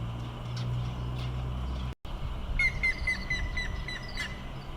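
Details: Grey-headed woodpecker calling in Sapporo, Hokkaido, Japan, on 30 May 2018. After low rumbling background and a brief dropout, a series of about eight short, clear notes comes at an even pace, sliding gradually lower in pitch.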